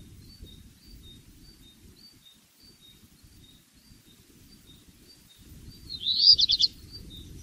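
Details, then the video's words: Black redstart with a short high rattling phrase of several quick crackling notes near the end, preceded by faint repeated distant high calls and low rumbling noise. "o canto do RABIRRUIVO-PRETO/BLACK REDSTART SONG"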